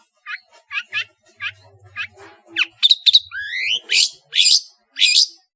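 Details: Madura long-tailed shrike in varied, lively song: a row of short upslurred whistles, then rising whistled glides and loud harsh screeches, with a faint low hum underneath at first.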